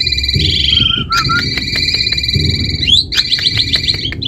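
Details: Asian pied starling singing steady, drawn-out whistled notes with overtones, broken by sharp clicks and short chattering bits over a low background rumble.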